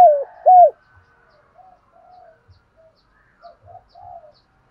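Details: Spotted dove, 'thổ sấm' voice, one of its several song patterns: two strong arched coos in the first second, followed by scattered faint, soft cooing murmurs and near silence.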